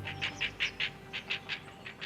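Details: Great Blue Herons at a nesting colony above the Colorado River in Austin, Texas, noisy birds likened to grunting pigs, give a fast run of about ten short, harsh, mid-pitched notes, roughly five per second, over a faint low hum.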